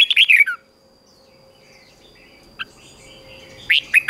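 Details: Red-whiskered bulbul song meant for training other bulbuls: a short warbled whistled phrase, then near silence with one brief chip and faint distant birds, before a fresh burst of bright whistles at the end.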